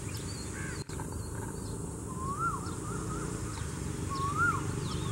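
A cuckoo gives soft, whistled notes that swoop up and fall away, repeated in short runs. Fainter high chirps from other birds sit over a steady low rumble.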